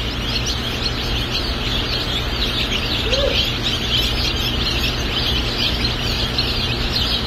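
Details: Delaware chicks, a white-plumaged dual-purpose breed from the USA, hatching at a hatchery; many high thin peeps overlap in a continuous chorus over a steady low machine hum.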